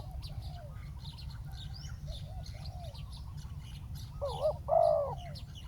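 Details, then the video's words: Decoy spotted dove set on the ground to bring down a wild bird: quiet cooing phrases at first, then two loud, close rounded coos near the end, over thin chirping of small birds and a low rumble. "เสียงนกเขาใหญ่ ต่อ นกเขาใหญ่"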